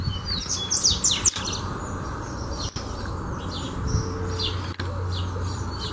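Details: Double-collared seedeater heard in a song-training session, giving a loud burst of quick, high, slurred whistles at the start, followed by softer scattered notes against a humming background with occasional thumps.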